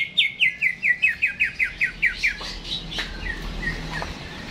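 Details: Caged greater green leafbird in jamtrok-style song before hanging: a dozen crisp downslurred notes in quick succession, trailing into quieter scattered chirps.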